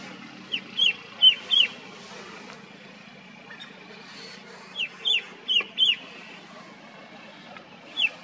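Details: Red-winged shrike-babbler, a shy mountain forest bird, calling in hill forest gardens at Motidhar, Mussoorie: loud, clear, down-slurred high notes given in short series of two to four, with pauses between bursts over faint background hum.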